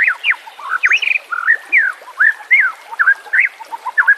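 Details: White-rumped shama singing in a training recording ('nembak kasar' style) meant to teach caged songbirds, with trickling water behind. A varied run of short looping, swooping whistled notes, each distinct, following one after another.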